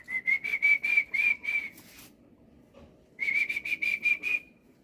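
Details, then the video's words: Energetic morning singing from a black-winged myna: two bursts of rapid, ringing whistled notes on one steady pitch, each burst around a second long, separated by a short quiet pause. "BURUNG JAPUT KU GACOR BANGET"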